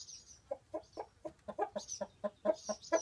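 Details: Chickens indoors in their chicken house at midday, come home to roost and complaining about an intruder after their morning corn; soft, low clucks repeated about twice a second, with faint higher notes behind.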